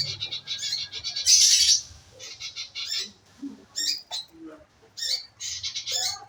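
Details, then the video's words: Scarlet minivet lure call to get birds singing: a loud burst of high chirps followed by scattered sharp, high notes in small groups, with low hum beneath. "pancingan burung manggaran agar maun bunyi"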